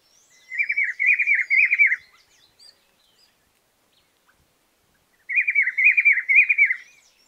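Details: Rufous-browed Peppershrike (juan chiviro), one of Argentina's common birds, sings a rich, warbled whistled phrase of about one and a half seconds, repeated after a roughly three-second pause in quiet surroundings.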